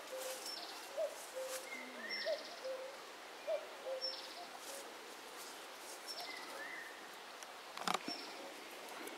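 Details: Common cuckoo (Eurasian cuckoo) in the Himalayas of Uttarakhand, May 2016, wagging its tail while calling: soft, low, falling two-note hoots about every second, with thin high whistles from other birds behind and a brief knock near the end.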